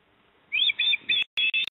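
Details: Osprey pair at their Port Lincoln nest in South Australia, 28 September 2024, with the male delivering a fish to the female. Three quick piercing whistled notes follow one another, and after a brief gap two more come in rapid succession.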